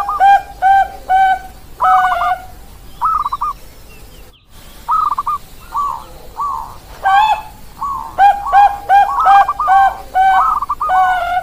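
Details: Bangkok perkutut zebra doves: bursts of rich cooing notes alternate with quick rolling trills, after a quiet gap, with overlapping coos and trills near the end.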